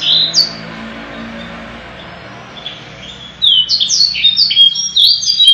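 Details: Canary in a long song with luxurious cengkok style: after a brief high note, a quiet stretch of low hum, then a burst of rapid high whistled sweeps and buzzy slurred notes in the final two seconds.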